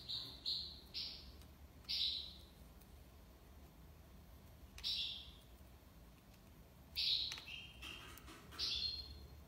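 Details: European goldfinch giving sparse tiwawati song notes: a few quick buzzy chirps at the start, a long pause, then more chirps.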